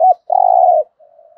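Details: A fragment of spotted dove thúc gù cooing has one short arched note, then a long, steady, slightly rolling coo. A faint, soft trailing coo follows.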